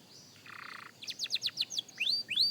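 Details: Young canary practising its song: a buzzy low trill, then a run of quick falling whistled notes and rising upslurred whistles.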